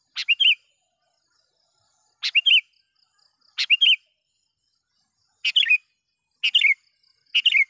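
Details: Sooty-headed bulbul calling to lure wild birds: six quick bursts of chirpy, bubbling notes, each opening with a sharp click, coming every one to two seconds, faster toward the end.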